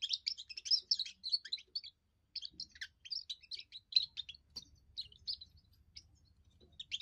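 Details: A young European goldfinch gives its first song, a fast, tinkling twitter of high, liquid notes in quick bursts with one brief pause, over a faint low hum.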